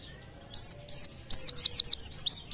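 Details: Brief white-eye song, held to stir nearby birds into calling. A few sharp downslurred chirps lead into a quick tumbling string of high notes.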